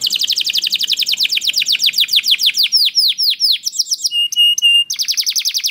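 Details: Canary song played to coax other canaries into singing: a fast trill of swooping notes slows into separate chirps, then a few flat held whistles before another rapid roll.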